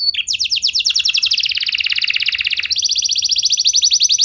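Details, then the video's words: Canary song in the luxurious 'lagu mewah' style, played to get other canaries singing: a dense, buzzy, high trill that jumps to a faster, higher-pitched roll partway through. "Kenari Gacor Lagu Mewah! Buat Kenari Mana Saja Bakalan Langsung Ikut Gacor Panjang"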